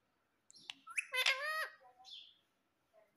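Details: Pet parrot kept at home, giving one harsh, nasal call lasting about a second, with a rich stack of harmonics, set off by a few short chirps before and a softer note after; quiet surroundings.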